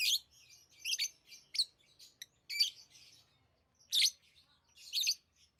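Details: Scattered shrill chirps from lovebirds, short squeaky bursts spaced a second or so apart with soft twittering between.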